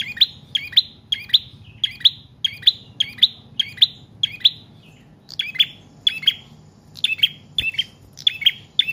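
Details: Long run of prinia song meant to lure and train cage birds: steady series of bright, clipped chirps in pairs, about two per second, briefly broken before continuing at the same pace.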